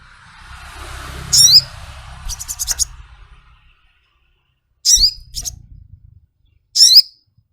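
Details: Ruby-cheeked sunbird, or sogok ontong, uttering piercing, high, slightly squeaky chirps followed by a rapid ticking run and then isolated sharp notes, over faint rustling and low background noise early on.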